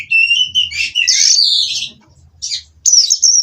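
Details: Caged Oriental magpie-robin giving a short burst of song: a high thin whistle, then a loud buzzy rushing phrase and a final sharp sliding whistle.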